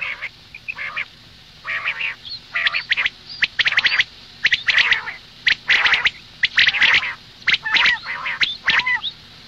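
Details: Female common quail calling, a morning call: harsh, raspy bursts with a bright edge, repeated roughly once a second in uneven runs, mixed with sharp clicks and some thin curving notes.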